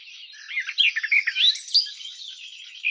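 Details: Garden warbler song: a soft, blurred run of warbled notes between mid and high pitch, with brighter accents near the middle, flowing without breaks.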